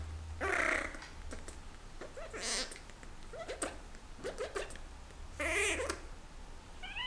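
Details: A Senegal parrot in breeding season, courting its owner's hand, gives three harsh, whiny, cat-like squawks about two seconds apart, with softer chattering notes between and a low electrical hum underneath.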